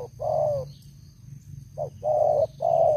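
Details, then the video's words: Spotted dove, an old caged lure bird with a loud voice: one long falling coo, a pause, then a short note and two sustained level coos, with a low droning hum underneath. "Terkukur Pikat Lama, Selalu ok Suara besar"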